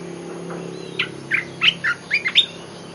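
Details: Olive-winged bulbul lure song: a phrase of about seven bright, chirpy notes at an uneven pace, the last few sharper and higher, over a low steady hum.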